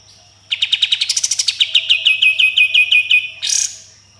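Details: Sooty-headed bulbul delivering a full tembakan volley with rough besetan: some twenty fast, evenly spaced sharp notes in a rolling stream, rising then settling lower, capped by a harsh buzzy flourish, with a faint steady hum behind.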